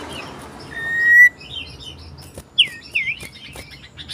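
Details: Loud, persistent song of a common iora seeking a rival, 27 December 2022: a thin rising whistle, then two curled, downslurred whistled notes over faint chirping and background noise.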